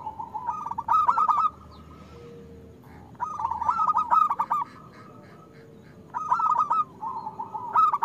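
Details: Local zebra dove in steady song, used as a training lure for reluctant singers: three stuttered cooing phrases, each a rapid trill of mellow notes, separated by a pause of about two seconds.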